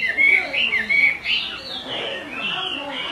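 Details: Chinese hwamei female calling over and over, used to excite a male into singing; smeared, wavering whistled notes in a loose sequence, loudest early and fading into a softer, blurred continuation.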